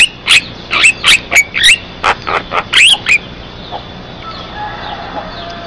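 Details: Javan myna singing vigorously, recorded as a lure to get other mynas singing and as tutor material: rapid harsh chattering notes mixed with rising whistles, about three per second, fading into quiet background hum.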